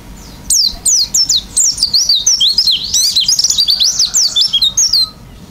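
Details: Oriental white-eye in full, vigorous song in the filled-in style: a dense, fast run of high twittering, zigzagging whistled notes, nearly continuous for about four and a half seconds after a brief quiet start.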